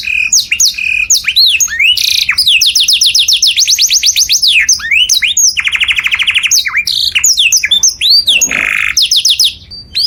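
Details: Canary song played loud as a model for other birds to imitate: fast high trills of repeated rising notes, buzzy rattles and sweeping whistles in quick succession, with short pauses between tours.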